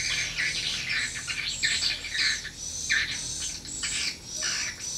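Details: High, buzzy swiftlet chirps come in clustered bursts about every second, the birds answering a lure sound played at a small swiftlet house; faint low rumble behind.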